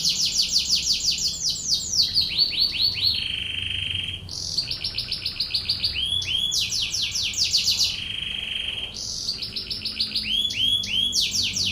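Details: Canary tutor song in the tembakan ngebren style: cycles of fast falling stuttered syllables, chattering bursts and steady lower rolled tours, repeating about every four seconds. The singing is loud and clear over a quiet background.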